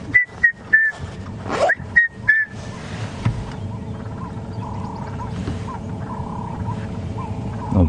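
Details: On a morning safari drive on 11 May 2015, a Red-chested cuckoo, a summer bird, gives loud, clear whistled notes falling in pitch, the familiar 'piet-my-vrou' phrase, then stops. A vehicle engine rumbles underneath and a man talks.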